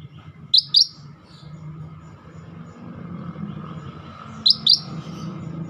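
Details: Scaly-breasted bulbul, described as a rare bird singing actively: two pairs of short, high, sharp chirped notes, one pair near the start and one near the end, over a steady low hum.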